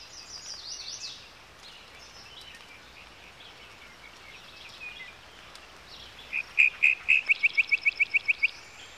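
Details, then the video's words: Yellowhammer singing after several quiet seconds with faint high notes in the background: a quick run of about eleven short, bright notes, evenly repeated at one pitch. "Пение птиц - Овсянка"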